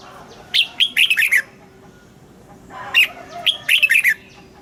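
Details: Training recording of red-whiskered bulbul morning song for caged birds, mature wild double-note style: two quick phrases of bright rising and falling notes, each about a second long, well separated.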